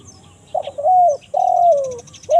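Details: Lure call of a spotted dove, 'kuk 1 mersik' type, meant to bring wild birds in woodland: rough start, steady mellow coo, drawn-out falling coo, and the next phrase beginning as it ends, with faint high chirps.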